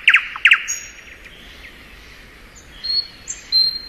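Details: Thrush nightingale in spring giving two quick bursts of loud clicking notes, followed by a pause and then a few thin, high, steady whistles.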